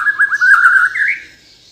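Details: Short, loud burst from a Kalimantan white-rumped shama in 'gacor' song: a rapid warbling rattle that rises in pitch and fades within two seconds.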